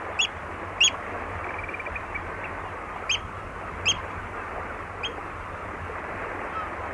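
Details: Oystercatcher at Walney calling nearby: loud, abrupt piping notes given singly or in pairs with irregular gaps of one to two seconds, against a constant low hiss.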